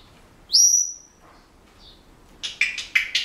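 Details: Senegal parrot kept as a household pet: a clear rising whistle that levels off, then a soft chirp and a rapid burst of four harsh, high chattering notes.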